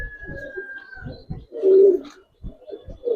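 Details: A loud, drawn-out coo from a silver Budapest highflyer pigeon in a loft rises clearly above quieter murmuring coos, with a faint thin tone in the opening second.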